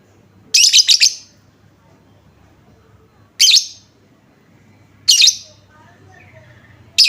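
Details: A lovebird lure sound to make other lovebirds reply. It opens with a rapid stuttering cluster of piercing chirps, followed by three single sharp chirps about two seconds apart and faint soft chatter between them.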